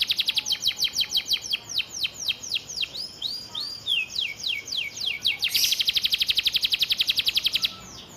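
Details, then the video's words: Master-vocal canary carrying sparrow-type phrases: quick high descending notes slowing into broad swooping sweeps, then a loud, very fast machine-gun trill before a brief fade. "Kenari Isian Gereja"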